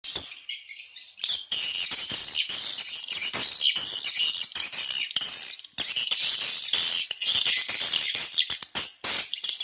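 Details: Swiftlet lure call for drawing swiftlets into nesting houses: a dense, continuous wash of high, sharp chirps and twitters from many birds at once, layered and overlapping with few gaps, after a brief quieter opening.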